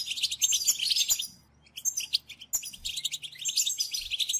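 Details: European goldfinch in Wedani song style, used to stimulate males to sing and to train chicks: fast, dense, high twittering bursts of liquid and tinkling notes, pausing briefly near the middle before resuming.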